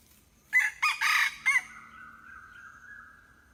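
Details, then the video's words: Hybrid junglefowl giving one crow of four quick segments, harsh and loud, whose last note lingers as a long, steady, gradually dying tone for about two seconds; background quiet. "#เสียงไก่ป่า #ไก่ป่าลูกผสม"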